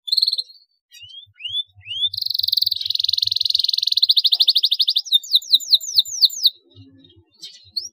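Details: Lively canary song made to stimulate other canaries: quick rising whistled sweeps lead into a long, loud, fast rolling trill. This breaks into repeated falling slurred notes, with faint low ticking underneath.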